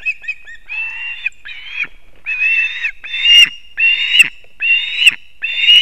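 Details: Ospreys at a nest in Kurzeme, Latvia, on the morning of 3 September 2024, as the male brings two fish for the chicks; a few short chirps, then longer drawn whistled cries about once a second, each ending in a sharp click.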